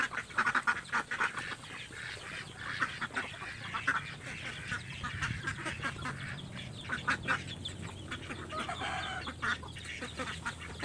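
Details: Ducks fed and scrambling for the food, with a steady chorus of overlapping raspy quacks and a few louder honking notes standing out over a rough background hum.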